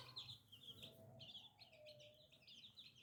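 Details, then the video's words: New little chicks cheep in quick clusters of bright, thin notes. A faint, lower drawn-out tone sounds underneath. "Chicken Free Sound || Funny Chicks baby"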